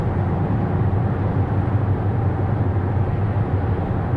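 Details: Loud, steady low engine rumble from a vehicle fills the recording, with no animal sound.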